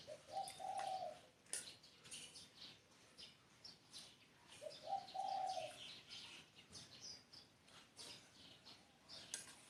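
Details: Spotted dove song: a mellow, throaty coo phrase at the start and another near mid-clip, each a brief lead-in note and then a drawn-out purring coo, over constant high chirping from other birds.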